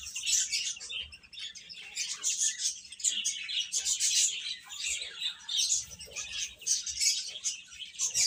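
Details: Baby chickens eating and playing, a dense chorus of high, thin peeping chirps overlapping continuously from many chicks, with short soft bursts and no pauses.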